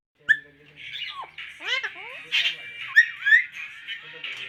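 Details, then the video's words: Talking pahari Alexandrine parakeet kept as a pet: harsh, hoarse speech-like syllables run together with raspy squawky phrases and a few sliding whistled notes. "Best talking pahari alexandrine parrot"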